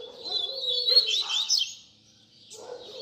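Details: Double-collared seedeater singing baderna, a mixed song style used to tutor young birds; a dense, quick warble of high slurred notes with a lower buzzy strand, a short silence, then the song resumes.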